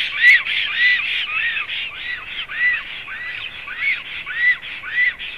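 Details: A black stork at a nest in Zemgale, Latvia, on 7 April 2016, gives a steady series of hoarse, wheezy notes, each rising then falling, at nearly two per second, with nothing else clearly heard.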